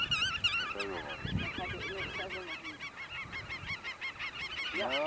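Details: Black-tailed godwits displaying and mating at Eemnes, Holland, on 8 April 2012 give rapid, nasal, wavering calls about three times a second, several birds overlapping; a low thump is heard early.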